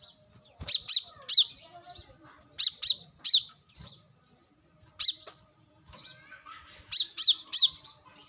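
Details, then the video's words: Brown-throated sunbird calling in the wild, used for luring: bright, high, sharp notes in pairs and triplets at irregular intervals, with faint twittering behind. "kolibri kelapa | manggar | wiceh | pancingan korlap dengan suara asli alam liar"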